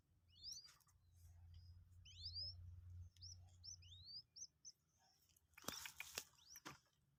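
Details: Two-day-old Common Moorhen chick, captive and being taught to eat feed, utters a run of rising, whistled upslurred peeps, then brief clatter and rustling noises.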